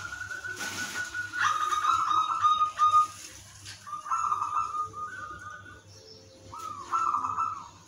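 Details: Zebra dove (perkutut) of the udanmas silver type with a melodious rhythm, used as a lure to get other doves singing; quiet mid-pitched coos in short level phrases separated by pauses, a brief noisy burst early, and a steady low hum.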